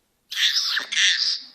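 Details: A talking Senegal parrot gives a loud, hoarse, squawky two-part utterance, over a second in all, with a short dip between the parts.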